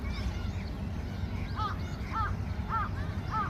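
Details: Gulls flying at Yeouido pier: one nearby gull gives four clear arched, slightly nasal calls spaced about 0.6 seconds apart. Fainter calls from other gulls sound behind it, over a constant low rumble.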